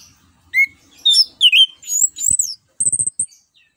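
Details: Orange-headed thrush song in the 'ngeplong' style, played as a lure to get other birds singing: a varied run of short, high slurred whistles and twisting notes, with a few soft low clicks between phrases and a closing burst of rapid high chirps.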